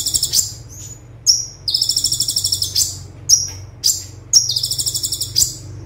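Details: Olive-backed sunbird (konin) singing the fast 'tembakan' style, used as a tutor recording: piercing high notes alternating with rapid buzzy trills of evenly pulsed chips lasting around a second, then more isolated sharp notes.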